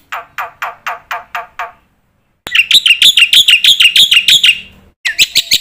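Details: Black-winged myna master song for teaching young birds: a short series of lower husky notes, a silence, then a fast run of repeated bright buzzy chatters and a final harsh burst.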